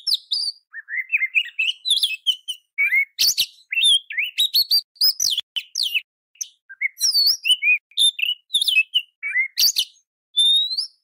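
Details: Oriental magpie-robin song used as a tutor recording to train other magpie-robins to answer agitatedly and sing constantly, in a rough burst style. It gives a rapid, varied run of whistled slurs, rising and falling notes and sharp clicks with short gaps.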